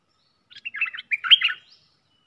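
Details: Red-whiskered bulbul kept caged as a decoy for trapping, singing a single lively phrase of about a second: quick, liquid, chattering notes rising to a sharper bright note near the end.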